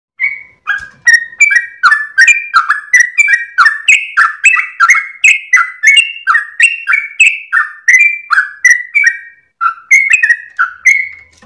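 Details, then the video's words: Sooty-headed bulbul at dawn, singing vigorously in a long rapid run while wagging its tail. Bright whistled notes, each sliding or bending, follow one another about three per second without a break for the whole stretch. "GOYANG EKOR trucukan gacor ropel panjang saat subuh pagi hari"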